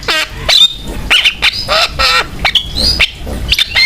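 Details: Javan myna song meant to spur other mynas into singing; chattering bursts of harsh, grating notes alternating with high thin whistles and quick downslurred squeaks, repeated at a lively pace.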